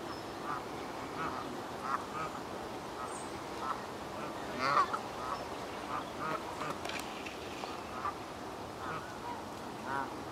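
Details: Canada geese at Hertener Schlosspark, Germany, keep up a rhythmic run of moderate honks across the recording, one louder call near the middle, with faint background noise.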